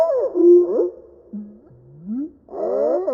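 A Bobolink's song, slowed far down into deep, moaning tones: a jumble of sliding, warbling notes with low swooping glides and a brief pause before a final burst.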